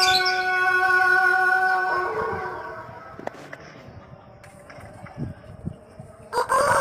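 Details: Pelung rooster, a singing-crow breed from Cianjur, West Java, crowing to lure other roosters. A long, steady, deep harmonic crow holds for about two seconds and then fades. A second crow begins near the end.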